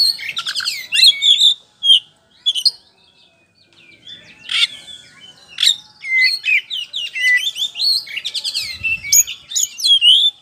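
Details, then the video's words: White-rumped shama, a kept bird singing hard as a lure to make other birds answer: dense, varied song of sharp whistles, rising and falling slurs and buzzy trills, with short pauses between bursts. "DIJAMIN NYAUT DENGAN PANCINGAN KACER POCI GACOR NGEPLONG INI"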